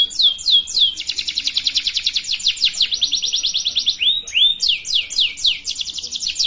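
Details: Canary song intended as a model for young birds learning to sing: a few slurred notes, a long rapid chattering trill, then looping swoops and quick downslurred notes.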